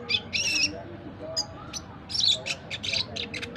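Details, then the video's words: A four-month-old red siskin learning its song: high, squeaky twitters and buzzy bursts in quick, uneven runs, with short pauses between phrases. "BURUNG RED SISKIN BELAJAR NGRIWIK GACOR"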